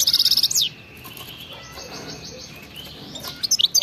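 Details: European goldfinch in batbata-style wild song, played to prompt other goldfinches to sing: a fast buzzy trill sliding downward opens, then a quiet stretch, and a few high twittered notes return at the end.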